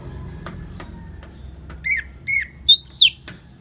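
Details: Orange-headed thrush in ngeplong song with rain sounds: a few faint clicks, then four separate whistled notes, the last two higher and sharply slurred.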